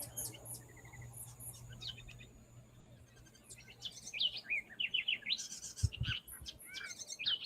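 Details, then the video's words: A House Wren, a species living in Medellín and heard near trees and parks in the afternoon, sings a quick, bubbly jumble of high chattering and warbled notes growing busier, over a low hum with a brief thump. "Tenemos al cucarachero común, que probablemente si están cerca de un árbol o cerca de un parque, lo van a escuchar ahorita por la tarde."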